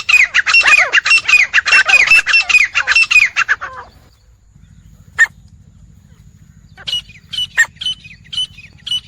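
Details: Four wild grey francolins give loud, harsh, rapidly repeated notes in a raucous chorus for four seconds, then scattered sharp calls over a low steady hum.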